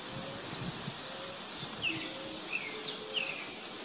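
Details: Blue-black grassquits disputing in the bush: a high downward-slurred note, then two more in quick succession near the end, each sharp and buzzy, with faint lower chirps and steady insect hum.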